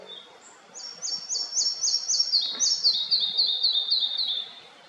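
Red-breasted flycatcher song: a bright series of high, clear two-part notes repeated about four per second, the second half dropping slightly lower and quickening, over soft background hiss.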